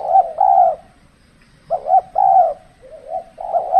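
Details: Cold-season spotted dove decoy, used for trapping; two clear coo phrases, each a quick rising double note then a held, slightly falling coo, separated by a pause, then softer trailing coos.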